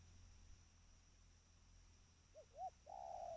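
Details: Spotted dove, a trained bird, heard after a quiet stretch: a short note, a louder upswept note, then a long even coo at the end, over faint low hum.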